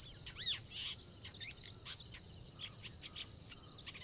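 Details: A long-tailed shrike practicing or rehearsing its song: a quiet rambling sub-song of varied chirps, squeaky notes and short slurred phrases, with a steady high insect buzz behind.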